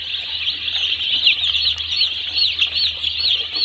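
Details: Many day-old chicks peeping at a poultry farm, a dense shrill chorus of short looping cheeps, one brief click near the middle, low humming background throughout.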